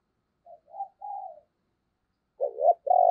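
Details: Decoy spotted dove calling to stir other doves into cooing: three soft, short low coos, then a pause and a louder two-part coo with a rough, throaty first note and a sustained second note. The background is otherwise quiet.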